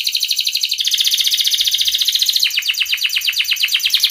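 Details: Canary in breeding condition singing to call a rival, meant as a lure for young canaries: continuous rapid buzzy trills of quickly repeated notes, changing tempo and pitch partway through, loud and unbroken.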